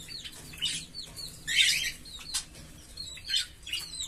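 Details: A green Fischer's lovebird pair gives high, piercing chirps and a dense scratchy burst midway, followed by scattered short squeaky notes.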